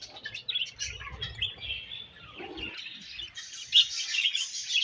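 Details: Budgies feeding and chirping together, continuous high twittering chatter with scratchy trills and occasional sharper squeaks, some low rustling or pecking noises underneath.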